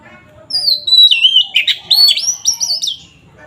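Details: Oriental magpie-robin singing in gacor ngeplong style, used as a lure to rouse rival birds: a long descending whistle, then a quick run of loud rising and falling whistled notes, sharp and varied, high-pitched throughout.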